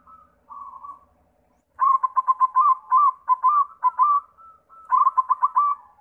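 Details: White zebra dove lure song for prompting other doves: soft coos, then a long energetic series of loud, rhythmic staccato notes in quick bursts, ending with a rapid pulsing trill.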